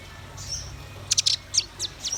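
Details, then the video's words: Red-billed nuthatch and white-rumped shama singing. A thin high whistle, then a cluster of sharp, very high chips and a few spaced notes, ending with another high whistle. "Suara kicau burung rambatan paruh merah dan murai batu gacor"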